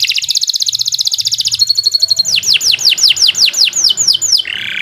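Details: Canary singing long, vigorous song meant as a master recording for training birds: a fast pulsed trill, a brief steady whistle, then a run of about ten ringing downslurred notes, ending on a buzzy note.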